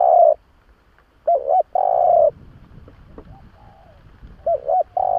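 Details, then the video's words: Spotted dove lure call, low hollow coos in a broken phrase: a long coo, a double-note pair, another long coo, then softer answering coos from a second dove further off, with faint background rustle. "Tiếng chim cu gáy nghe là ghiền kích bổi siêu nhạy"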